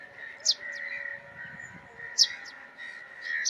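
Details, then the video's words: Sparrow giving sharp, high, clipped chirps in small bursts about a second or more apart, set against a continuous buzzy mid-pitched background drone with faint lower tones. "Sparrow Chirping Sound | Chirping Sparrow Call"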